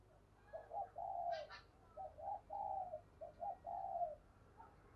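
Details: Decoy spotted dove calling to attract wild doves, heard faintly over steady low background noise: repeated soft, mellow coo phrases, with a brief sharp higher sound near the start.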